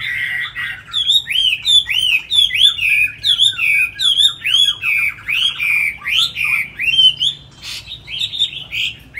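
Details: Tamed Chinese hwamei kept in a cage, singing a long series of loud looping whistles, each phrase swooping up and down, repeated about every half second with brief pauses between bursts.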